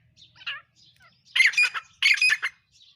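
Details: Black francolin (kala or dakni teetar) calling with a soft scratchy opening note, then two loud, harsh rasping phrases about half a second apart, followed by a faint trailing note.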